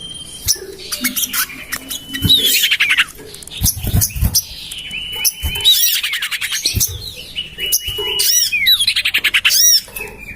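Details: Common iora lure sound for attracting birds, garden-tested beside a house: dense sequence of sustained high whistles falling away at the end, interleaved with buzzy trills, sharp chips and scattered clicks.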